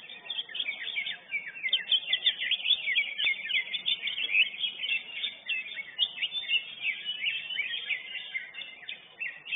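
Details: At a singing contest, a first-place lesser green leafbird keeps up a fast, unbroken chatter of short high whistled notes, about three per second, each slurred and varied, with no pauses.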